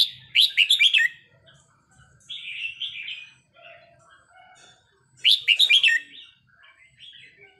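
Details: Red-whiskered bulbul training recording: two bursts of rapid, bright, warbled notes a few seconds apart, with softer chattering phrases and a low whistle between them.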